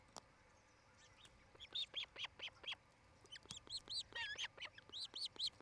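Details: Osprey at a nest camera in Charlo, Montana, where a pair nests, recorded 07-08-2018 between 17:00 and 18:00; after a quiet start, a burst of high whistled chirps, slightly downslurred, repeated quickly and unevenly over several seconds.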